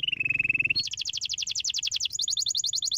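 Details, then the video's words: Singing canary used to stimulate other canaries: begins with a steady rolling trill, jumps to a rapid high double-noted chatter, then a quicker high trill, all loud and even-paced. "O canário escolhido estimula rapidamente o som de canários preguiçosos cantando"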